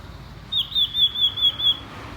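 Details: Crisp series of six rapid, evenly spaced high whistled notes from a common iora, delivered in just over a second against a quiet background.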